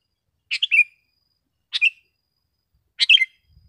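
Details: Sooty-headed bulbul in vigorous song, used for tutoring caged birds and luring wild ones in gardens: three short bright chirping phrases, each a quick cluster of sharp notes ending on a lower slurred whistle, spaced over a second apart.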